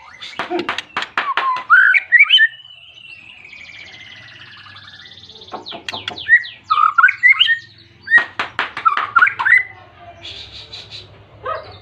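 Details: Persistent white-rumped shama song aimed at a rival and used to trigger other shamas; rapid harsh strokes with twisting whistles, a long thin descending note, then two more bursts of scratchy strokes and looping whistled flourishes.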